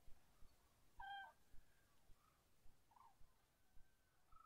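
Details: Common cranes at dawn: a single loud, harmonic trumpeting note lasting about a third of a second, followed by fainter, distant answering calls over a low background rumble.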